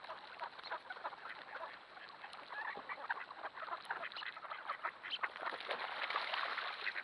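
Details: Thousands of wild ducks, including mallards, wigeon, pintail, teal and wood ducks, swarming a flooded cornfield, captured by a trail camera; a dense, continuous chorus of overlapping quacks, chatter and honking calls rising and falling throughout.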